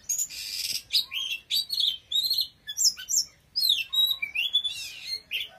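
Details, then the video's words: Oriental magpie-robin in powerful song: loud scratchy rasps alternating with clear sliding whistles and trilled high notes, delivered in a fast, rich and varied stream. "Choè than hót cực khủng"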